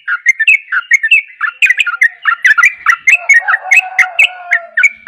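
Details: Sooty-headed bulbul (trucukan) delivering its persistent 'ropel' style song: a rapid, unbroken stream of short bubbly whistled notes that rise and fall, some lower slurred notes underneath late on.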